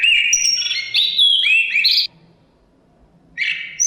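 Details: Continuous, tumbling chestnut-capped thrush phrase of high, sweet whistles sliding downward for two seconds. After a short silence a new whistled phrase begins, with faint wind underneath.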